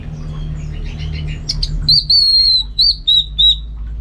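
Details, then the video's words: Orange-headed thrush in a cage at home: after soft chatter, a long pure whistle followed by three short looping whistled notes, clear and high, over faint low hum. "Super Kicauan ANIS MERAH Gacor"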